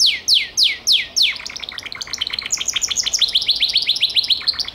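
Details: Gloster canary singing four loud slurred notes that fall in pitch, followed by a quick rattling trill and a long run of rapid, sharp chirps.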